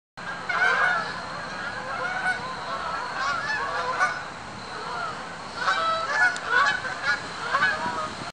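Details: Flock of geese flying over Silver Lake in darkness, many overlapping nasal honks rising and falling in waves, with a steady broadband hiss behind them.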